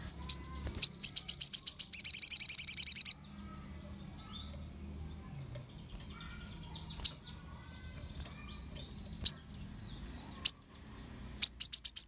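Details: Crimson sunbird singing, used to provoke rival sunbirds to answer: a rapid high trill of some twenty-five notes for two seconds, then scattered single sharp chips, and another trill beginning at the end.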